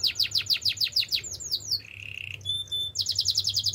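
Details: Male canary singing quick repeated downslurred notes, then a flat whistle, a rapid buzzy rattle and high pure tones, returning to a fast run of falling notes; a faint low hum underneath.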